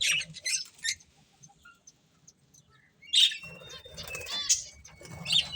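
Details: Breeding pair of pet budgerigars: scratchy high chirps in quick bursts, a quiet pause mid-way, then chattering warbles and thin whistled notes, with soft low fluttering or rustling underneath.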